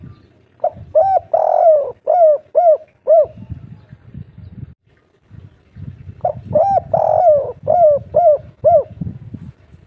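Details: Local wild Spotted dove in the kuk 3 style, used by hobbyists to stimulate caged birds to sing: two series of mellow, hollow coos, each a run of about six short rounded notes, over a low background rumble.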